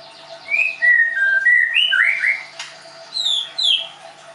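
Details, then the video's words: White-rumped shama kept and trained at a bird school in Tangerang, Indonesia, sings loud clear whistled notes in quick phrases, followed after a short gap by high thin descending whistles. "MURAI BATU LEUSER"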